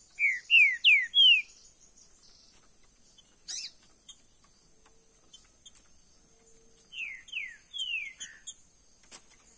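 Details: Caged green-winged saltator singing two phrases, each of four loud, clear whistled notes sliding downward, separated by several seconds of quiet with faint clicks and a high background hiss.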